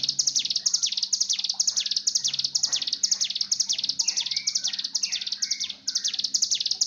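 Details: Mountain tailorbird mating call used to coax a caged bird into singing: rapid, piercing down-sweeping chips, around two each second, with occasional softer warbled notes underneath and a low steady hum.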